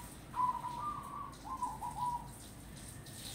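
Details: Local zebra dove from Grobogan in the wild, giving two soft, mellow cooing phrases of quick rolling notes, each about a second long with a short gap between, over a low steady background hum.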